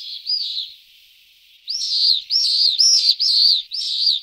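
A Pallid swift gives one harsh, buzzy, down-slurred scream, then after a pause a rapid run of five more, about two per second. No other sounds.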